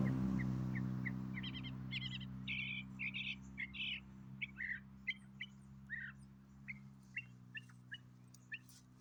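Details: A possible baby Northern Mockingbird hidden in a bush gives quick, squeaky chirps, about four a second, shifting in pitch, over a steady low hum.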